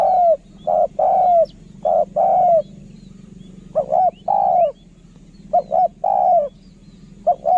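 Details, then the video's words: Kharom-voiced spotted dove from a decoy line cooing steadily: short paired notes each followed by a long drawn, downward-curving coo, several phrases in a row, with a faint hum behind. "นกเขาใหญ่ สายต่อ เสียงต่อหมานๆเสียงนกคารม"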